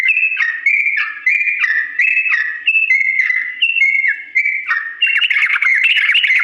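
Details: Sooty-headed bulbul giving its long ropel song at a slow tempo, a recording for birds to imitate. About a dozen short whistled notes step up and down, then a rougher, scratchier chattering passage closes the phrase.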